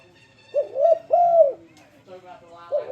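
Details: Spotted dove luring song used to get other doves singing: one full phrase of two quick rising-falling coos followed by a long arched coo, then softer murmuring and the start of another phrase.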